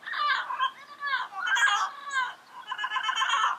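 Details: Yellow-headed parrots calling in the wild, a continuous stream of raspy, varied squawks and chattering notes with rising and falling harmonic tones.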